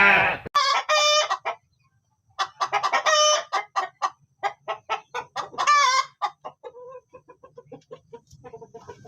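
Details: Chicken among farm animals: loud, harsh, harmonic-rich clucks and cackling bursts, then a short pause and a long run of repeated clucks. These grow quicker and softer toward the end.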